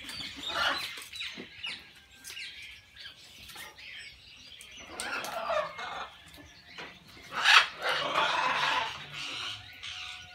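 Macaws give harsh, raucous squawks in ragged bursts, the loudest near the end, over the clatter and chatter of a busy aviary.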